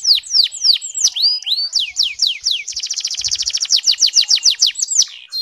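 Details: Kept canary from Petarukan, Pemalang, Central Java, Indonesia, sings a series of clear downward-swept whistles, then a fast even trill of rapid notes, slowing again into swept whistles.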